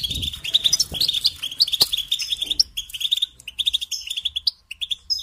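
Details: European goldfinch, kept and trained as a songbird, singing a busy stream of bright tinkling chirps and rolling twitters that thin out into separate notes toward the end.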